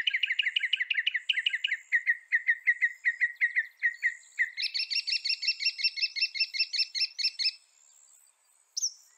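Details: Northern mockingbird (Mimus polyglottos) singing in North America: about four seconds of rapid, evenly repeated chirpy notes, then an abrupt switch to a higher, brighter phrase repeated for three seconds, a brief pause, and one final sharp note.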